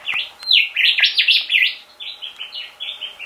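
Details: Rufous whistler singing at a bedroom window every morning at 6 am, a resident bird that also taps the glass: a fast run of loud, looping whistled phrases that drop into softer repeated notes, with faint taps behind.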